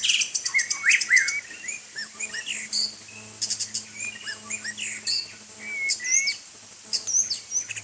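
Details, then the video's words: White-rumped shama in rain, bathing and singing a long, rich medley of fast chattering notes, slurred whistles and rising glides, broken by brief pauses, over a constant high hiss and low hum. "Murai Batu Main Hujan"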